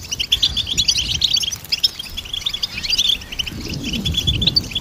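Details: Goldfinch twittering steadily, rapid sweet chips and trills forming a bubbling stream, with some faint low rumble beneath.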